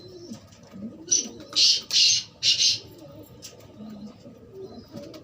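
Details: A black francolin gives a quick string of four loud, rasping, high notes, the middle ones longest. Gentle dove cooing runs low in the background.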